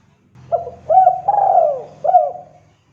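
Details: Spotted dove calling a rival: one phrase of soft hooked coos with a long central falling note, over a low steady hum.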